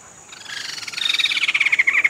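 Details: A Sumatran laughingthrush, one of two pairs held in rehabilitation cages before release, gives a fast, rattling chatter of harsh, high notes, about a dozen a second, growing louder over two seconds.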